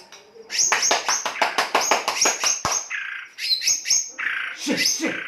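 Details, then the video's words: ['White-rumped shama in rough, harsh singing style, played to provoke other birds to sing: a rapid stuttering run of sharp clicks and whistled notes, then grating buzzy phrases.'] "Pancingan kicau murai batu kasar"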